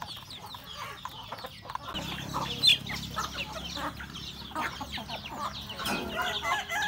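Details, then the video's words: Chickens eating breakfast at home with roosters and a hen; soft clucks and peeps build after two seconds, with a sharp louder note near the middle and a low hum. "Beautiful sound of chicken eating breakfast, Roosters and Cutest hen"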